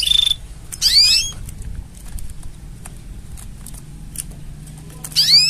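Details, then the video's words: Canary mating song: a short high buzzy trill opens, then a rapid burst of downward-sweeping notes, a long pause with faint clicks, and another sweeping burst at the end over low background hum. "Tone Up Your Canary's Singing with These Mating Sounds!"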